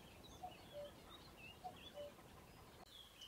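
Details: Common cuckoo calling at RSPB Ham Wall Nature Reserve in Somerset, UK: two clear falling cu-coo pairs, each higher note dropping to a lower one, over soft background birdsong.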